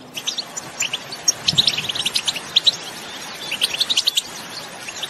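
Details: European goldfinches calling and singing in open country, aimed at stirring other goldfinches into song: scattered high chirps that thicken into a quick twittering phrase midway, then thin out again.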